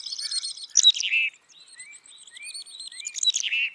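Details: Black-capped chickadee giving high thin introductory notes that run into a few harsh, buzzy notes rich in overtones, twice, with soft short whistled notes in the quiet gap between the bursts.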